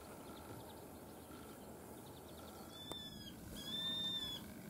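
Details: New Zealand falcon at the Brancott estate near Blenheim, Marlborough, filmed January 2020: faint high ticking at first, then two strained, high drawn whining notes, the second longer and louder, over a steady low rumble with a single click.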